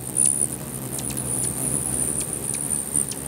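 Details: Hummingbirds squabble over a feeder in Bigfork, Montana, many birds at once. Short, piercing high chirps repeat irregularly, roughly three or four each second, over a loud, steady hum of wings.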